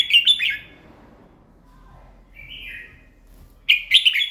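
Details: A red-whiskered bulbul sings in the morning. A burst of lively warbling is followed by a pause with one soft downward-slurred whistle, then another loud, jerky run of clear notes.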